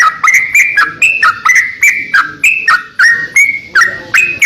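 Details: Greater green leafbird kept as a master tutor bird, singing vigorously: sharp click-and-whistle phrases in steady succession, the whistles alternating between higher and lower pitches, nearly continuous for the whole stretch.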